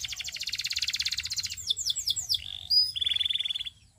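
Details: Canary song opening with a rapid buzzy trill, then a few clear descending sweeps, a short high whistle and another fast rattling trill that fades out.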